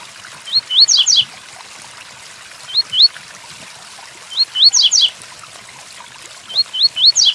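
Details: Double-collared seedeater singing the Tui Tuí Fibra song style over steady rain: two upslurred whistles followed by two quick descending buzzy sweeps, the phrase repeated about every two seconds against constant rain hiss.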